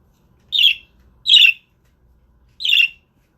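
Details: Budgerigars kept as pets, streamed live by webcam: three loud, raspy, chattering chirps, the first two close together and the third after a longer pause, over faint low room hum.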